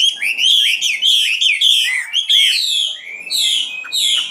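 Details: Nightingale song, loud and continuous: fast sequences of rising and falling whistled notes and liquid trills, phrases running into one another with short gaps, bright and high-pitched throughout.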